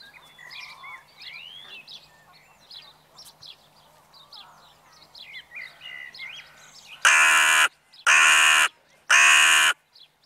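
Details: Crows in the evening: after about seven seconds of soft, varied chirping and twittering from small birds, three loud, harsh, drawn-out caws follow one another about a second apart.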